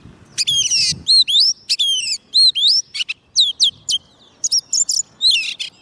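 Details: Oriental magpie-robin, soft-food-fed and quick to sing, singing to lure wild birds: a lively stream of clear rising whistles and short chattering bursts, steady phrases following one another with almost no gaps.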